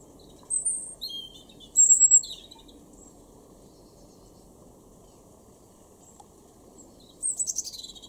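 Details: European robin singing in a garden in Weener, East Frisia, northwestern Germany, in April 2021: short high thin trilled and whistled phrases separated by pauses, with a quiet background hum.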